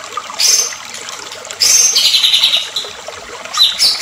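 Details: White-rumped shama, agitated, used as a lure recording to rouse other shamas into full song: bright high whistled and chattering bursts near the start, then a longer sweeping phrase of slurred notes, and a final quick whistled flourish, with a faint hiss behind.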